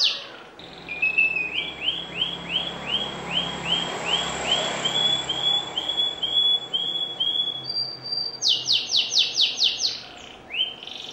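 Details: Canary in constant song: a long series of soft arched whistled notes at a steady pace, followed by a loud high buzzy trill and a final rising note.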